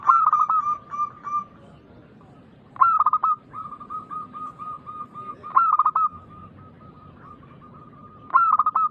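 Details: Local zebra dove in full voice, singing as a lure to get other doves to reply; four loud, fast, warbling coo bursts roughly three seconds apart, each trailing into a chain of level, evenly spaced coos.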